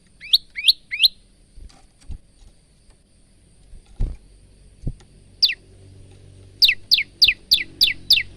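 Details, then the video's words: ['Male Bar-winged prinia recorded on a phone, singing in full voice with varied phrases: three sharp falling notes, a quiet gap with a few dull knocks, one note, then a quick run of six downslurred notes.'] "masteran handal burung prenjak lumut"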